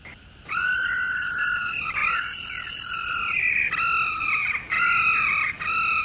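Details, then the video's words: A female laughingthrush gives long, steady, buzzy rolling trills, each one to two seconds with brief breaks, loud and rich in overtones; female call played daily to stimulate male laughingthrushes to sing. "Tiếng KHƯỚU MÁI RO Kích Trống Hót Căng"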